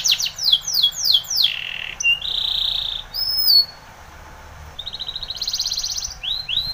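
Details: Spanish Timbrado canary training song with quick downward sweeps, a low buzzy note, a metallic sustained roll, then a soft rattling trill and rising whistles.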